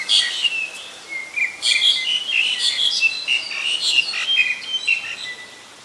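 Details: Black-collared starling recorded at Ubon Ratchathani, Thailand, 25 December 2019, delivering a continuous loud stream of harsh, squeaky, scratchy notes interwoven with rising and falling whistles, easing off in the final second.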